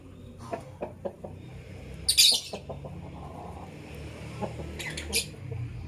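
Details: Morning chirping of a lovebird, with soft ticking clicks early on, then one loud, harsh, high chirp burst and a second shorter shrill burst near the end over a low background hum.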